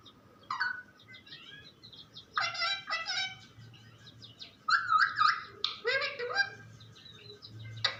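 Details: Talking parrot: scattered chatter, clicks and short squawks build into louder, rapid, speech-like bursts with bent whistles, over faint background hum.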